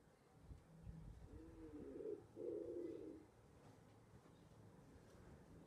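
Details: From a balcony nest box, a wood pigeon coos twice in close succession, low and muffled, with a quiet background hum.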